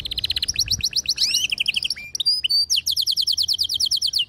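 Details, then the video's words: Home-kept canary song, with a female's mating call and a singing male; fast repeated chirps open, then sweeping whistles and a short gap before a long run of rapid evenly spaced high notes. "صوت طلب إنثى الكناري التزاوج مع غناء فائق الروعة لذكر "canary""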